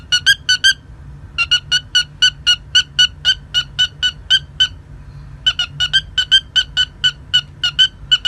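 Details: Pet cockatiel making a beeping sound: quick runs of short, bright beeps, about three or four per second, in three bursts with brief pauses between them, over a faint low hum.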